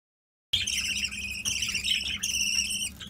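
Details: Four weaned budgerigar chicks, bred without a nest box, give a steady, raspy, high-pitched chatter of overlapping calls, nearly unbroken for about three seconds with brief dips.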